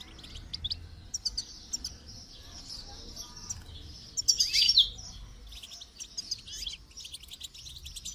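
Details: Goldfinch singing while being trained: scattered high chirps lead into a loud, dense twittering burst around four and a half seconds, then lighter trills.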